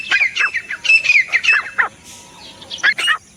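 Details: Grey francolin (Ortygornis pondicerianus) call: harsh, ringing notes in quick rhythmic bursts, a run of loud calls, a brief pause, then another short burst.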